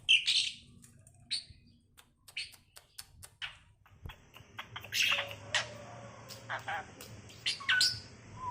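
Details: Tame pet Asian pied starling giving bright, high chirps and short clicks at irregular intervals, with a few louder squeaky notes near the end, in a quiet indoor setting.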